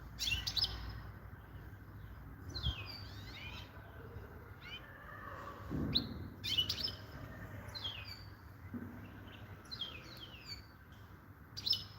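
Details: European goldfinch singing: bursts of bright, rapid twittering and trilled notes, repeated roughly every three seconds, over a steady low rumble of background noise.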